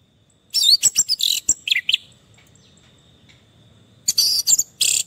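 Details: Orange-headed thrush song used as therapy for a stressed bird that has stopped singing: loud bursts of rapid, high, scratchy chirps and trills, a pause of about two seconds, then more sharp bursts, over a faint steady insect-like tone.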